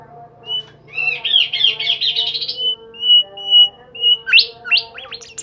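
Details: Bimoli bird singing vigorously: a dense, buzzy rapid trill of chattering notes, then a series of steady high whistles and a burst of quick upward-sweeping squeaks, steady low hum underneath.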